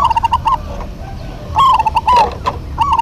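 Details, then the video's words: Local zebra doves duetting energetically: short staccato cooing bursts, a pause, then a rapid rattling run of warbled notes ending in a drawn-out coo, with light background rumble. "DUET PERKUTUT LOKAL GACOR PALING RAME PASTI SEMUA NYAUT"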